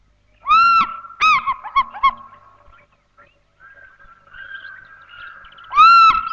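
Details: African fish eagle at dawn, soaring high overhead, head thrown back, in bushveld near the Tropic of Capricorn: ringing, yelping notes, a long arched cry, a quick run of shorter yelps, then another long cry, over a faint sustained tone.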